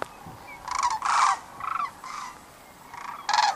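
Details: Sandhill cranes returning to roost on the Platte River near Kearney, Nebraska, evening of 27 March 2009: loud, rolling, trumpeting calls in several overlapping bursts, about six in under four seconds, as though from a sizable flock.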